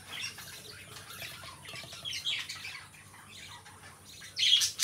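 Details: Two pet lovebirds kept as companions: soft, continuous high chirping and scratchy twittering through most of the recording, ending in a sudden loud burst of shrill squawks in the final half second.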